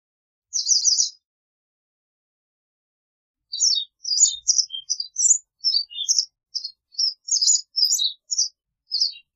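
A white wagtail gives a high, brief chirp burst, then after a pause a lively run of sharp twittering notes, varied and quick, with no other sounds.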